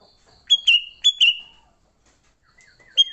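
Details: Sooty-headed bulbul giving a lively fighting song used to lure other bulbuls: bright, short whistled notes dropping into slurred phrases, two quick pairs then a lone note later, over a faint steady high insect-like hum.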